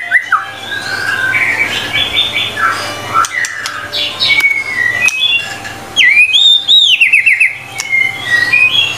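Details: Long stretch of vigorous white-rumped shama song: varied whistled phrases and slurs, then a loud burst of rapid high trilled notes and a closing down-slurred whistle, with steady low hum behind.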